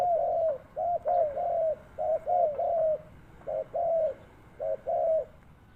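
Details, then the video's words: Spotted dove kept as a lure bird, giving soft, low, hollow coos in short arched notes, grouped in twos and threes, about a dozen notes in six seconds, over a faint steady background hum. "Terkuku Pikat,Sound of dove bird,Cuckoo bird,spotted dove bird"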